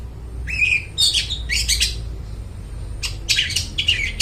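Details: Long-tailed shrike in full song, used as a lure for mute shrikes: a squeaky whistled slur, then harsh grating chatter, a short pause, and more scratchy, buzzy notes.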